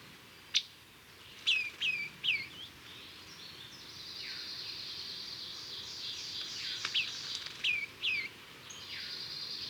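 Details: Female Scarlet Tanager giving its soft, musical, down-slurred call, possibly a contact call near the nest. Some notes are single and some come in quick groups of two or three, over a steady high insect-like hiss.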